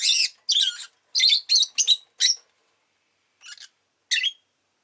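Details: Pet lovebird (rosy-faced) producing a rapid series of about seven harsh, buzzy chirps, followed by a silent gap and two softer, spaced calls.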